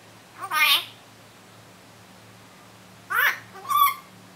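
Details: Common myna giving a laughing call indoors: a strained, harmonic squawk, then a pause of about two seconds and two quick rasping, rising notes, over a faint steady hum.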